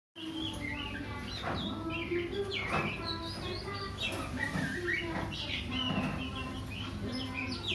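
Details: Oriental magpie-robin (kacer) singing a varied run of clear whistled notes, rising and falling slurs and short trills, with a steady low hum and background noise throughout.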